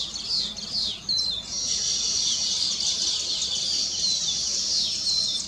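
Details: Weaver birds singing on completed nests in celebration: a nonstop high, buzzy chorus of many birds with repeated short falling whistles and sharp chirps layered over one another.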